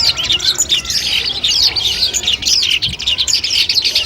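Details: Long-tailed shrike singing, training material before a competition: quick varied whistles, chips and buzzy phrases tumbling one after another at high pitch.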